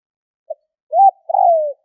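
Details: Spotted dove used as a decoy to lure wild doves: a soft short note, then a low arched coo and a longer coo that slides downward, in a quiet setting with no other sounds.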